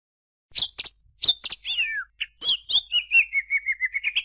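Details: Greater green leafbird singing: sharp high chirps and slurred whistles, then a run of quick, evenly spaced notes that step gradually lower in pitch.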